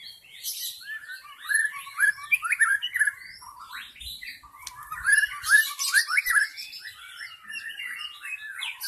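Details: White-rumped shama of the forest singing as a lure: lively, continuous medley of quick whistled slides, chirps and clipped trills, rising and falling in steady rapid succession.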